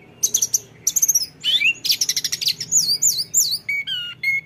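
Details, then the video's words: Lesser shortwing (tledekan gunung) in ngeroll style: clusters of very high buzzy notes, a string of looping whistles, then a few lower, clear, level whistled notes, with a soft background hum. "dengar tledekan ngeroll ini"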